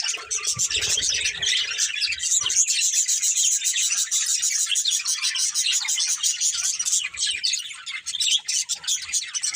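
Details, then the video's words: Budgerigars, a family group of pets, chirping together: dense, continuous high twittering and warbling chatter with rapid squeaky notes, steady and loud throughout, the flock calling over one another indoors. "Cute Budgies Chirping Sounds"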